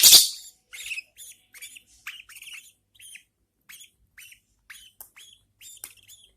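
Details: Newborn budgerigar babies fed by their mother: a loud rustling burst opens, then thin, rasping chirps follow in a loose series, fading and softening toward the end.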